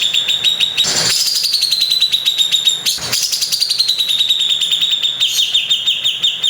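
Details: Cucak jenggot, the Grey-cheeked bulbul, delivering a rough 'tembakan kasar' song: a sustained fast buzzy trill that holds steady, dips and rises again, cut twice by short sharp clicks.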